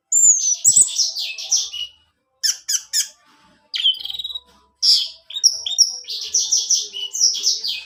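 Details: Orange-headed thrush song to coax a male into singing: a falling whistled note opening into a scratchy warbled run, clipped sharp notes, then long dense phrases of high chattering and varied whistles.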